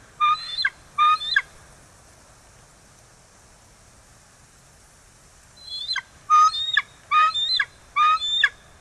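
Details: Bald eagles at the E-1 nest in Kisatchie National Forest on 9 December 2023, around 16:32, just after the first egg was laid. Two quick bursts of high, stuttering, ringing chatter, a silent pause, then four more rapid chattering bursts.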